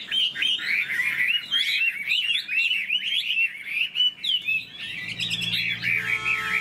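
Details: Chinese hwamei in a cage, tail spread and wings displaying, pours out a continuous string of wavering, slurred whistles that bend up and down. A brief buzzy, metallic rattle enters near the end.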